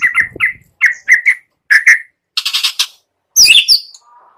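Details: White-rumped shama morning lure song: short whistled notes in quick pairs and triplets, a burst of harsh rattling chatter, then a loud sharp squeaky phrase.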